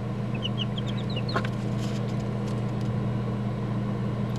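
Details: Young chicken chicks huddled together in a cardboard box: a short run of high, thin cheeps, each sliding downward, in the first second and a half, then quiet over a steady low electrical hum.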